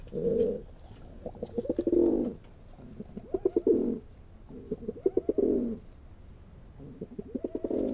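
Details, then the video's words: Male pigeon performing: repeated low coos, each opening with quick stuttered pulses and swelling into a throaty roll, about five phrases in steady succession. "কবুতরের অসাধারণ ডাক || Male Pigeon Super Performance"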